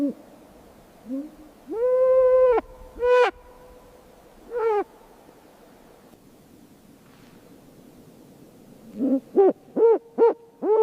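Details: Snowy owl chirping in a quiet setting: one long, steady harmonic note, then a few shorter arched notes spaced irregularly, ending in a quick run of five clipped chirps.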